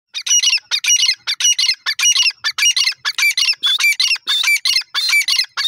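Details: Grey francolin (teetar) calling loudly: harsh, shrill squawking notes in rapid bursts of about half a second, repeated almost without pause, some carrying a brief clear whistled tone, with no other sounds clear.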